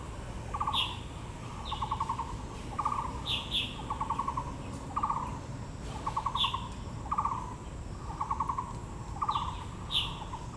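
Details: Blue magpie amid azaleas in Yangmingshan Park, Taipei, giving repeated chattering rattles, each a fast run of pulses about once a second, with frequent thin downslurred higher chips in between and low ambient rumble.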